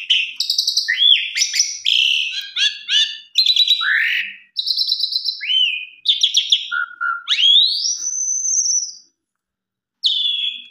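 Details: Asian pied starling in full, varied song, used as a lure to get other starlings singing. Dense scratchy phrases and chatters give way to a long rising whistle, a silence, then a final buzzy note.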